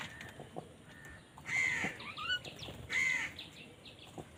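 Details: Crows fighting for food give two loud, hoarse caws about a second and a half apart, with fainter shorter calls between them.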